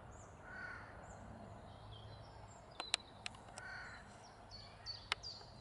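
A Eurasian jay gives harsh, rasping screeches, with thin high notes from other birds behind.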